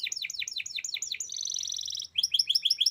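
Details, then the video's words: Canary lure song meant to get young canaries to sing. A run of rapid descending whistled notes leads into a dense buzzing trill, then a bright series of repeated, evenly spaced chirps. "kenanari paut langsung nyaut bunyi"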